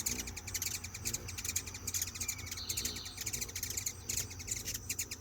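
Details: Several hummingbirds chatter to each other while being hand fed: dense bursts of sharp, high chips and twittering ticks, with a brief buzzy note midway, over a low steady hum.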